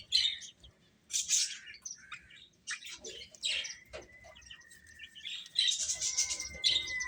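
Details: Feeding chicks give sharp, high chirps in bursts, with a thin steady tone running through the later seconds.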